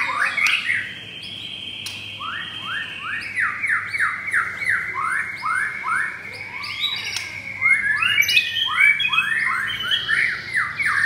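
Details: White-rumped shama of the pastel blorok variant, caged and set against an adult brown blorok rival; a long held whistle under a steady series of short rising notes, then quicker warbling flourishes.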